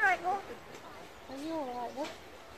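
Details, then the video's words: Talking magpie copying a Yorkshire-accented 'you alright love' and 'I'm alright'; a quick opening phrase with a falling tone, then a longer wavering voice-like utterance near the middle. "A magpie says, 'you alright love' in Yorkshire accent"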